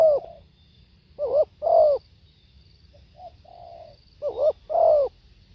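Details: A spotted dove sings soft wavering coos: a trailing note, then a double stutter and a strong falling coo, a pause with quiet humming, and the phrase again, with faint low background rumble.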